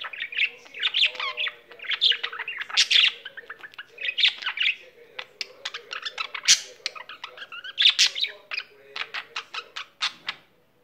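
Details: Pet budgerigar singing at length indoors: a fast, chattering warble of scratchy chirps, clicks and short whistled notes, mostly high-pitched, with bursts of rapid ticking near the end.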